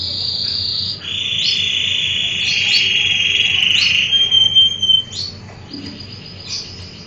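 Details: Canary singing a loud whistled song: long sustained high trills held steadily for several seconds, then broken into short chirped notes and rapid rolls, with a faint low hum behind.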